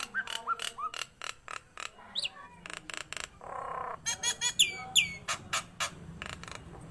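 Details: Nias hill myna singing vigorously: evenly spaced loud knocking calls, a brief buzzy rasp, then bright falling whistles mixed with clipped squawks.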